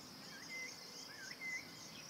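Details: Eurasian golden oriole at its nest site in Bulgaria, June 2019, recorded from a hide: two short bursts of soft, fluting whistled notes that wobble and slur, set against a steady high buzzing of insects.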